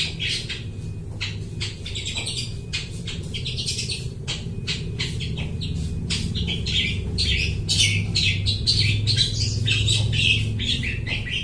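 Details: Long-tailed shrike singing a chattering imitation of other birds, used as a lure for bird trapping; rapid, dense harsh notes and squawky bursts run almost nonstop, with a constant low rumble in the background.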